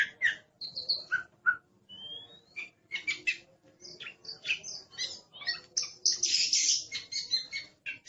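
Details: Oriental magpie-robin, described as aggressive, pouring out a dense stream of short sharp notes, clicks and brief whistles, with a loud harsh rasp midway, nearly unbroken throughout.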